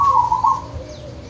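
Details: Wild local zebra dove from Wonogiri, recorded for playback to pet doves that have gone quiet: a single brief, fast purring trill lasting about half a second, then fading into faint background hiss.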